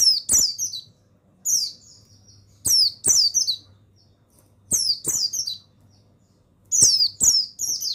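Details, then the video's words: Training song of a male mountain white-eye (buxtoni form) meant to make other birds sing; bright, rapid high-pitched twitter bursts in pairs and triplets, each sliding downward, separated by short silences. "Begini Suara Pemasteran yang Untuk Pleci Bustomi Bahan Bikin Burung Pleci Bustomi Gacor Ngalas"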